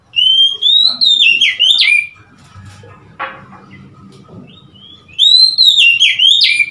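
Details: Oriental magpie-robin, recorded 3 March 2021, giving loud, rich whistled phrases that swoop and slur, pausing about three seconds before resuming, over a faint low background hum.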